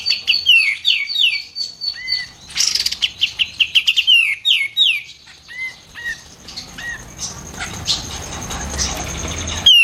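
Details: White-eared bulbul training recording meant to prompt other songbirds to sing: a rapid run of sharp, downward-slurred whistles and chirps in the first half, followed by quieter scattered notes against growing background hiss.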